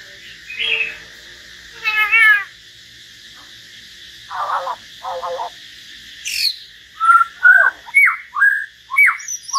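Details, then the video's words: Common hill myna in a singing solo alongside a white-rumped shama: scattered harsh rasping notes and a buzzy burst, then a quick run of loud, sharp, downslurred whistles repeated about twice a second. "Chim nhồng và choè lửa hót solo"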